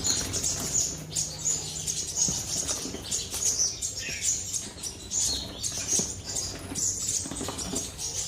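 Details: A black-throated sunbird in a cage sings on and on: piercing, high, clipped chirps repeated roughly every half second, with light rustle and patter underneath.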